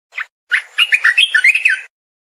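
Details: A single short chirp from a streaked bulbul, then a lively phrase of eight or so quick, slurred notes strung together in a bubbling warble.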